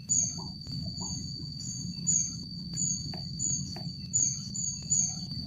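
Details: A rufous-backed kingfisher (Ceyx rufidorsa) at the Jatimulyo bird conservation village calls with thin, very high, slightly falling squeaks, one every half second to second, over a steady insect whine and low rumble.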